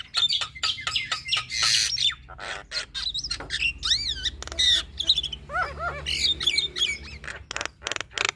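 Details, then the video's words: Female Javan myna in loud, continuous song. Dense rapid clicks, rasping bursts and many arching, wavering whistles follow one another almost without pause. "Suara Khas Jalak Kebo Betina Gacor Full Isian - Masteran Dan Pancingan Semua Jenis Burung Jalak"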